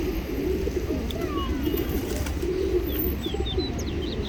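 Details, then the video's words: Large flock of pigeons crowding in to be fed in the UK, their soft throaty coos half-buried in a dense, steady murmur of wings and bodies, while faint high chirps from smaller birds flick above. "Feeding Thousands Of Pigeons in UK - Pigeon Sound Effect"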